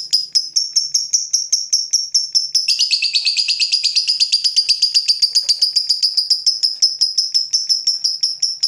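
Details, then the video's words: Fighter lovebird reacting to a rival in a long ngekek: steady, clipped high chirps that quicken into a dense, buzzy chatter, then settle back into evenly spaced sharp notes, over nearly nine seconds. "Lovebird FIGHTER terpancing Panas, nyaut Ngetik lanjut Ngekek Panjang"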